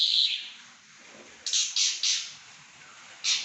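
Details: Pekin robin singing loudly and persistently: a high sharp note, then after a pause a quick run of three bright chirps, followed by another pair of piercing notes near the end, over a faint hiss.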